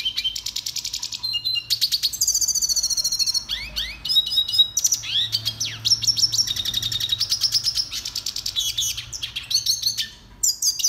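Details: Long finch song from a red siskin for training: continuous rapid high twittering, trilled buzzes and rising and falling slurred notes strung together with barely any pause across the phrase.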